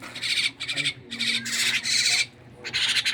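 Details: Captive myna calling during feeding, giving loud rasping, buzzy squawks in bursts of up to a second, separated by brief pauses, with a faint low hum in the background.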